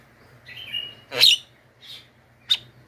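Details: Screeching Javan myna used as a lure for wild birds: a faint whistled phrase, then one loud grating squawk and two shorter rasps.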